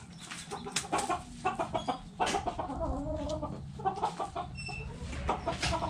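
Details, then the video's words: Backyard chickens with hens clucking in a busy, continuous chatter of short, repeated clucks and squawks over a steady low background hum. "Back Yard Chickens Continuous Footage! Rooster Crowing! Hens Clucking!"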